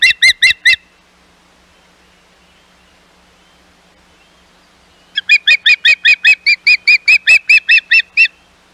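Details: Osprey calling at Hog Island nest, 11 May 2021, as intruding ospreys approach: four quick whistled chirps, a long quiet gap of four seconds, then a steady string of about fourteen sharp piping notes.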